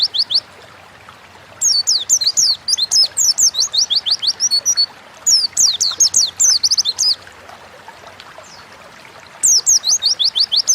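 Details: Oriental white-eye lure song: three fast phrases of thin descending whistled notes, each lasting a few seconds and separated by quiet gaps of soft hiss.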